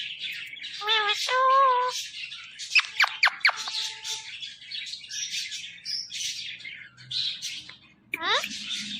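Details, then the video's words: Ring-necked parrot mixing speech-like harmonic syllables with sharp downward clicks, brief squawks and a final fast rising series of notes, amid busy chirping. "Ring Neck Talking Parrot |بولنے والے پیرٹ"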